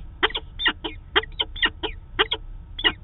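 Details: Peregrine falcon calls during the daily meeting at Manchester, New Hampshire, recorded 2 September 2018 by a live cam: eight or so scratchy double-stroked chup notes, evenly spaced, against faint low-frequency hum.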